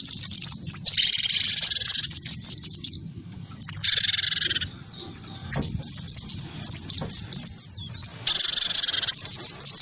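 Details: Cinereous tit of the wingko type, vocal and provoked into fighting song by a white-eye: rapid high, sharply slurred chirps in dense runs, broken by loud harsh buzzy bursts and a short pause near three seconds.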